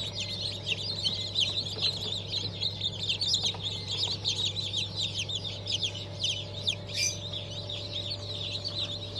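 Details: A crowd of just-hatched Black Australorp, Sussex and Fizan chicks, hatched 25 May 2023, keeps up a continuous busy chorus of thin high cheeps over a steady low machine hum, with a few soft knocks.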